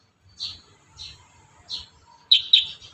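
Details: Kurincang song for training young birds: three soft, airy high notes spaced about half a second apart, then sudden loud, sharp double chirps.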